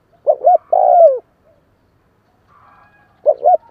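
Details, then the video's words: Spotted dove calling in a kích bổi style, meant to stimulate newly caught doves. Deep, hoarse coos: a quick doubled note, then a long, sliding, drawn-out coo. After a pause another doubled note begins. Faint higher chirps are in the background. "Tiếng chim cu kích bổi"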